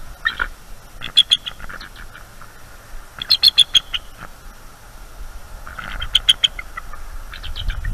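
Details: Nest-camera recording from the night of 23 October 2021, with eagles alert and defending their nest from a harassing owl. Three loud bursts of rapid, high chattering pips, each a run of five or six clipped notes, separated by quiet pauses.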